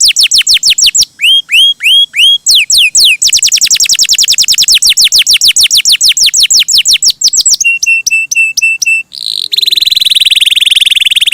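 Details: Canary in full gacor song: falling whistles, a few rising notes, a long fast run of descending sweeps, crisp repeated ringing notes, then a dense buzzy trill to close.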